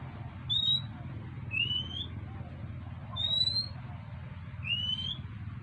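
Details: Oriental magpie-robin begging for food, with four short upward-sliding whistles about every one and a half seconds over a steady low background hum.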